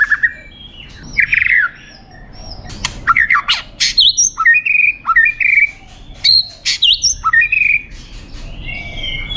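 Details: White-rumped shama, a champion contest bird, delivering a rich medley: clear whistled phrases and slurred notes interspersed with sharp clicking strokes and scratchy squawk-like bursts, each phrase brief and separated by short pauses.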